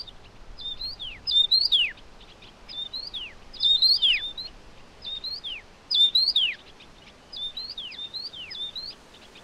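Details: Taiwan yuhina feeding hungry chicks: high, bright chirps with sharp downward-slurred tails, given in short clusters of two to four notes about every two seconds over a quiet background.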